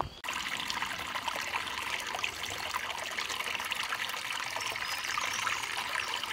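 Continuous trickling, splashing water fills the recording from start to finish, with no animal calls.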